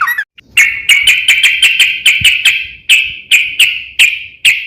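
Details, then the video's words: Sooty-headed bulbul singing as a lure for other bulbuls: a brief rising note, then a rapid series of sharp, bright chirped notes that gradually slow and spread apart, roughly fifteen notes in all. "KICAU SUARA trucukan gacor ropel panjang pancingan trucukan agar bunyi"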